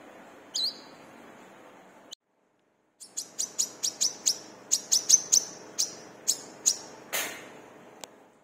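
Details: Brown-throated sunbird, locally wiceh or kolibri kelapa, singing energetically as a lure to train caged birds: one sharp high note, a cut, then a run of about a dozen thin, high, clipped chirps in quick uneven succession.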